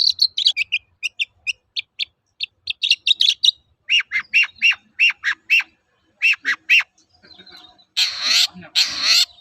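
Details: Long-tailed shrike singing a lively 'toet-toet' lure song used to train other birds: quick series of sharp high chirps and short whistled notes, then two harsh rasping bursts near the end.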